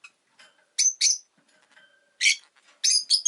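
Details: Rosy-faced lovebird giving loud, harsh, shrill chirps in pairs and bursts, with softer twittering and a faint drawn-out whistle between them.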